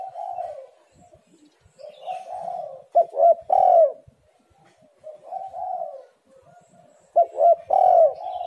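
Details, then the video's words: Spotted dove, recorded as a lure to get other doves calling. Two phrases of low, mellow cooing, each starting with soft hums and ending in a louder, falling coo, about four seconds apart. "tekukur super gacor"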